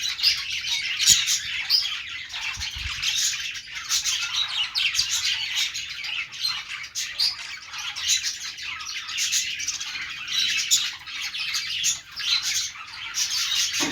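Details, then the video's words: Several pet budgerigars chattering at length: an unbroken, busy stream of high twittering, scratchy warbles and brief squawks, many birds overlapping, with occasional soft thumps in the background. "budgies sounds | budgies singing | parakeet chirping sounds | Australian parrot sounds"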